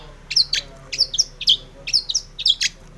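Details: Long-tailed shrike recorded singing to provoke other shrikes: paired harsh, grating chirps repeated at about half-second intervals.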